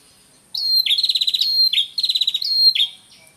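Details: Male and female red-headed prinia calling together, a natural recording used as a bird-catching lure: a sharp high note leading into a fast buzzy rattling trill, given twice in quick succession, with no other sounds.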